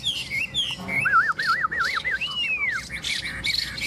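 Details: Chinese hwamei singing outdoors on a windy day, a swaying tree nearby: a run of wavy, yo-yoing whistled notes, then a long arching slur and quicker warbles, with higher sharp notes above.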